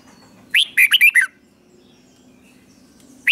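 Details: Doubled song of a red-whiskered bulbul, played so young birds learn it: one crisp phrase of a rising whistle followed by four rapid warbling notes, then silence before the next phrase begins.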